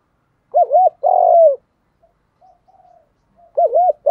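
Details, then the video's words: Spotted dove giving urging and calling coos in the field-voice style, used to train newly caught captive doves; low arched coo notes come in two short bursts separated by a near-silent gap with faint soft murmurs. "Chim cu gáy thúc + gáy gọi. giọng đồng"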